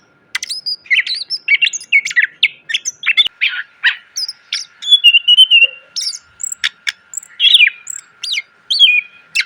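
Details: Caged greater green leafbird training song: dense, varied sequence of sharp chirps, twittering notes and clear whistles, high-pitched and almost continuous after a brief opening silence.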